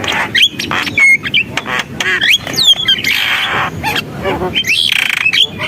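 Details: Vigorous Javan myna song. Sweeping whistled slurs and clear upward whistles mix with rough hissing squawks and scratchy chatter.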